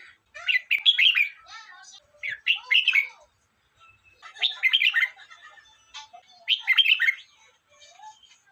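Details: Red-whiskered bulbul song in four lively phrases spaced roughly two seconds apart, each a rapid, chirpy warble of slurred notes rising and dipping, with quiet gaps between.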